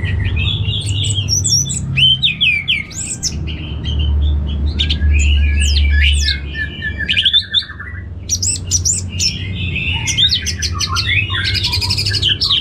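Orange-headed thrush pouring out a rich, varied song of quick whistled and chattering phrases, nearly nonstop, over a steady low hum.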